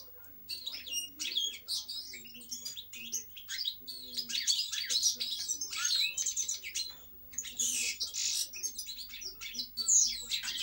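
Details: A European goldfinch sings a long, continuous, bubbling medley of tinkling twitters, liquid trills and nasal buzzes, broken by a short pause midway.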